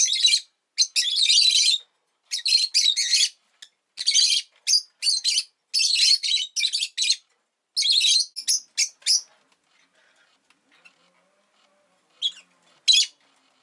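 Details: Rosy-faced lovebird at home after laying an egg: a dense run of piercing, scratchy chirps for about nine seconds, then near silence broken by two final sharp squeaks.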